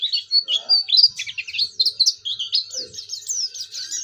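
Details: Oriental white-eye in full song, played to encourage other white-eyes to sing: high sweet whistles opening into a fast, jumbled twitter of up-and-down slurs, with a few faint low knocks behind.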